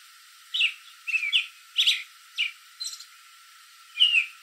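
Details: American robin perched in a backyard tree late in the evening, calling to other robins nearby: clear whistled chirps, some rising and some falling, given singly and in short pairs about every half second to second, with pauses between.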